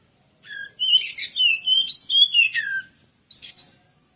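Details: Oriental magpie-robin (kacer) singing a lively training-style song: clear whistled notes sliding up and down, mixed with scratchy chattering bursts, a pause, then a final harsh burst; quiet background.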